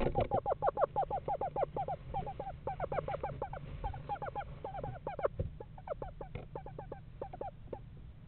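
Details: Pair of Eastern screech owls house shopping in November, their rapid quavering note series overlapping in a dense, uneven chatter that fades and restarts, with light knocks in the background.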